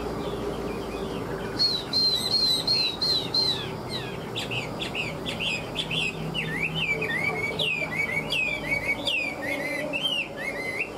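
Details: Chinese hwamei, a tame fighting bird with the "ngũ trường" five-part song: dense, rapid chatter of high repeated notes giving way to rolling, curling whistled phrases, with faint low hum throughout.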